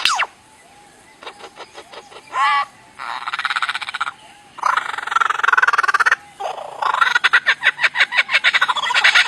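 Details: A bird making strange, varied sounds: a downslurred whistled note, then buzzy rasping bursts, rapid clicking trains and harsh rattling chatter, with short pauses between phrases.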